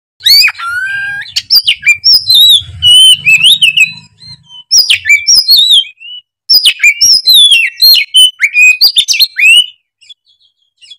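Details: Oriental magpie-robin (kacer) singing vigorously and excitedly, pouring out its repertoire: rapid, varied whistled phrases, sharp rising and falling notes and buzzy chips in dense bursts, with brief pauses near two, five and six seconds.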